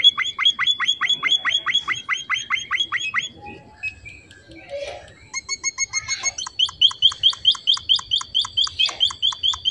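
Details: Finch in vigorous song: rapid repeated bright whistled notes, a brief pause with scratchy chatter, then the fast note series resumes at a higher, thinner pitch.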